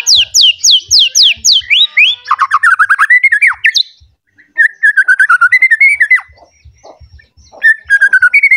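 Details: White-rumped shama, agitated and hunting for a rival, opening with a rapid series of steeply falling high whistles, then choppy rising and falling phrases, pauses, and more looping whistled runs, delivering its full fill repertoire.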